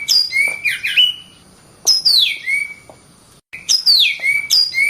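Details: Oriental magpie-robin (kacer) singing continuously: three loud whistled phrases, each sweeping steeply down and ending in a flatter, lower whistle, separated by short silent pauses.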